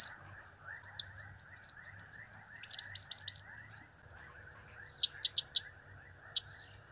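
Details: Cap, kiak and crap calls of a blue-crowned hanging parrot: scattered sharp high squeaks, then a quick series of five shrill chirps, a pause, and another run of rapid piercing notes, all over a low constant hum.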